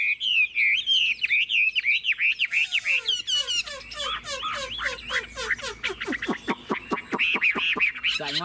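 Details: Caged Chinese hwamei, said to have a good, fast voice, delivering loud rippling whistled phrases that break into long runs of sharp, rapidly repeated notes, several to the second.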